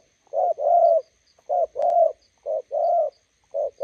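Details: Low two-part coos from a spotted dove, decoy bird meeting a wild one beside a road: a short coo then a longer even coo, repeated three times with a short click in the middle.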